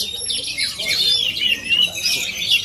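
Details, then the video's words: Oriental magpie-robin of Aceh origin performing: a rich, continuous warble of fast whistled notes and slurred trills, high and varied, with brief pauses near the start and gentle swells in loudness throughout. "Aksi kacer asli aceh"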